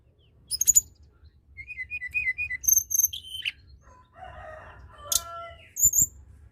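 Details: Tledekan gunung singing to encourage other birds to call: a string of short, high slurred whistles, then sharp chirps and a lower, rougher chattering passage before final high squeaks.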